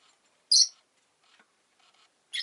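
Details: Rosy-faced lovebird kept at home after laying an egg: one loud, piercing chirp followed after a pause by a second, rougher one, with near silence between.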